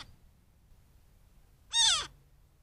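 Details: Young Cooper's Hawk at a desert pond in mid-morning giving a single harsh, raspy screech lasting about a third of a second and sliding downward, against quiet low background hum; it called repeatedly.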